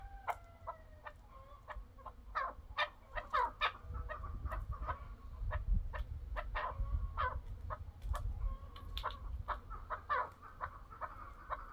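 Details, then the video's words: Chukar partridge calling in a long series of rapid, throaty chuck notes that speed up and grow denser toward the middle. Steady low rumbling noise runs underneath, and a few thin whistled tones are heard near the start. "طائر الحجل"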